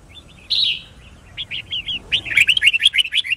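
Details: Caged white-cheeked red-whiskered bulbul being trained to learn song and sing in contest, a bright whistled note, then a run of quick repeated slurred whistles speeding into a rapid warbling trill.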